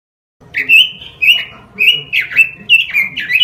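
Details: Robin singing for a masteran lure recording: a string of clear, rising and falling whistled notes, about two a second, each slurred, some with a buzzy edge, continuing to the end.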